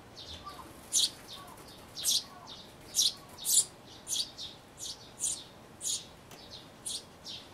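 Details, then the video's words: Young sparrows nearly ready to fledge in a birdhouse, 12 May 2012, giving a busy series of high, bright chirps, some doubled, with fainter chirping between louder notes. "巣立ち間近の雀のヒナ The young sparrow in birdhouse"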